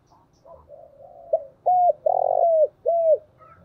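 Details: Decoy spotted dove calling: soft murmured notes, then three loud, low, hollow coos, the middle one long and drawn out, each sliding slightly downward.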